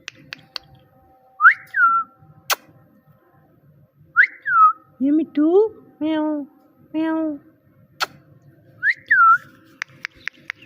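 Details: Talking parrot alternating sounds: whistled notes that rise then drop, two rising nasal meow-like calls and a flatter second syllable, then more swooping whistles and quick clicks, with a quiet background.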